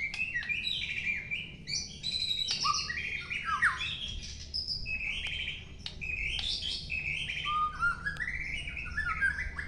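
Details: White-rumped shama, a long-tailed bird, singing a rich, varied song of whistled phrases, rising and falling slides and quick chirps, nearly continuous across ten seconds, with a low steady hum underneath.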